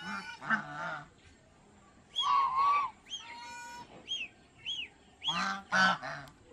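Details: Domestic geese at Planet Earth Aquarium, Mysore, India, honk loudly and nasally in short, irregular bursts, some calls drawn out and others harsh and overlapping, over a faint background murmur.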